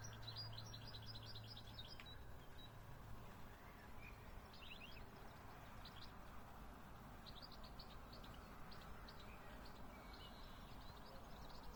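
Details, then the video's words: Birds singing at sunrise in spring: several faint, high, quick trills and chirp series come and go. A constant broad hiss of background noise lies beneath. "Vogelgezwitscher Vogelgesang zum Sonnenaufgang"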